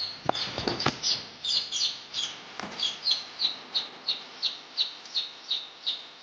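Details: Singing Madura long-tailed shrike: a few loud clicks, then a steady series of high, thin notes repeated about every third of a second.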